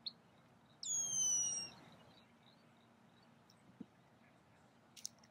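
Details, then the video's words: Red-winged blackbird giving one loud, drawn-out whistled note that slides steeply downward with strong overtones, followed by faint short ticks and a brief click over quiet background hiss. "Red-winged Blackbird call sound"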